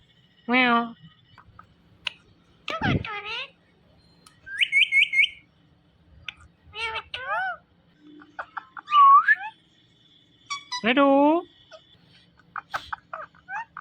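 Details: Indian ringneck parrot talking and calling "Mithu Mithu": scattered harmonic speech-like syllables, short clucking notes, a quick run of repeated rising notes, and a few sharp clicks, separated by quiet gaps.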